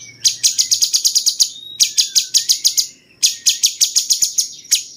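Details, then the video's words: Cucak cungkok bulbul used to tutor competition songbirds, its song likened to cucak jenggot: three bursts of rapid, sharp, high chips, roughly ten notes each, joined by a faint sliding whistle. "masteran paling banyak diminati burung jawara!!!cungkok rasa jenggot"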